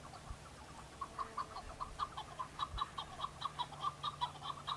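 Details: Male chukar partridge in Kurdistan, singing and answering rival males during the breeding season of display and fighting to attract females: a steady run of loud, hard-edged clucking chuck notes, about one and a half per second, over a low rumbling hum.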